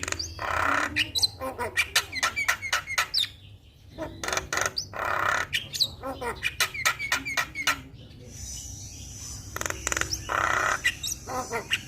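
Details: Javan myna singing its full-isian song to set a silent myna singing: long varied stretches of rapid clicks, chatter and short squawks, broken by brief pauses and noisy rasping bursts.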